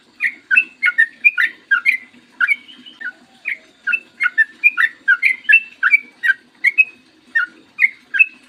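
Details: Long 'ropel panjang' song of a Yellow-vented bulbul, a tutor recording meant to make other trucukan sing: quick, chortling two-part whistles rising and falling, tumbling on without pause, with a soft low background hum.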